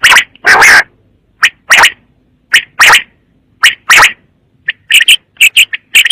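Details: Quail calling in sharp, broadband bursts, some doubled, alternating with short high chirps, roughly one call per second over a quiet background.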